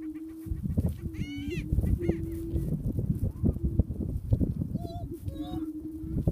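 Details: Booming prairie chicken, with short low hollow hoots rising and fading in bursts among heavy low rumbling noise, and a few higher cackling, whooping notes.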